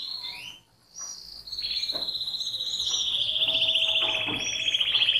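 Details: Canary singing: brief high notes, a short pause, then a long, steady, very fast trill that grows louder toward the end.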